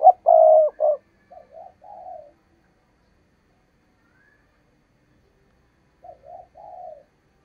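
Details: Decoy spotted dove used to lure wild doves into traps, giving urgent coos: a loud three-note coo opens, then softer two-part coos follow, with another quiet coo phrase after a pause of several seconds.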